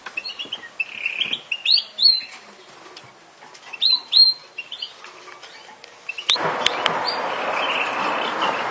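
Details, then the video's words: Yorkshire canary singing: varied short chirps, rising whistled notes and twittering phrases come in bursts with pauses, ending in a stretch of loud broadband rustling and clattering. "kenari yorkshire"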